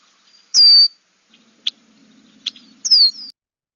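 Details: Red-winged Blackbird in a wetland in spring, after its return: two thin, high, down-slurred "sear" whistles about two seconds apart, with a few short sharp chips between them.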